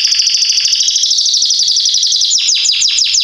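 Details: Belgian canary of the Salsa line, said to be ideal for teaching young birds to sing, gives a fast rattling trill that gives way to sharply falling sweeping notes.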